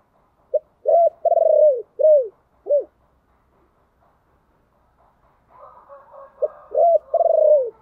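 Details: Spotted dove 'chìm' lure cooing, meant to call and excite a decoy dove: low, falling coos in short and drawn-out notes, a pause, then more coos over faint background murmur.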